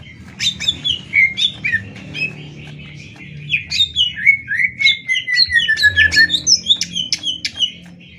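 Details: 'Tembak' style contest song of greater green leafbirds, a Banyuwangi bird against a Kalimantan bird. Rapid repeated clicks and chips mix with a long, slowly descending slurred whistle over a background rumble.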